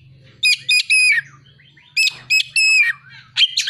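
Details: Oriental magpie-robin song built on prinia and sunbird imitation material, heard as three bursts of bright, buzzy chirps with thin high whistles, about a second apart, over a faint low hum.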